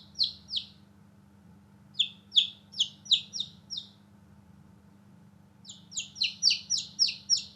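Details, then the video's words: Newborn chicks playing outdoors give three bursts of high, descending peeps, each run of four to eight chirps separated by quiet gaps of over a second, with faint low humming throughout. "Newborn Baby Chicks Chirping Sound"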